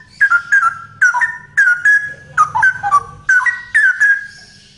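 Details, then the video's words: Male straw-headed bulbul singing loudly: rich, liquid whistled phrases of quick rising and falling notes, bursts repeated roughly every half second to second, with faint low background hum. "Burung Cucak Rowo Jantan Gacor Suara Lantang"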